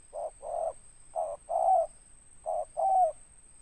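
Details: Local spotted dove singing in ngeruk style with its tindan note, coos grouped in pairs of a short hoot followed by a longer, slightly falling coo, three pairs spaced about a second apart, faint high whine in the background.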